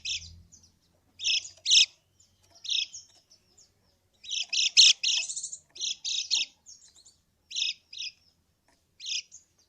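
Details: Yellow white-eye lure call for coaxing a silent bird to respond: scattered harsh high chips and short buzzy clusters with irregular pauses between them.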